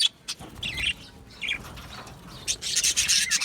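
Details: Budgerigars in an aviary colony, described as happy: scattered short chirps and scratchy squawks at first, building into dense rapid high chatter in the final second.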